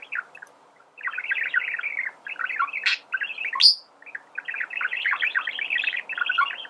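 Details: Singing male budgerigar, recorded as a tutor for teaching birds to sing; a long, continuous rapid chatter of varied chirps and warbles, with a couple of sharp high squeaks midway.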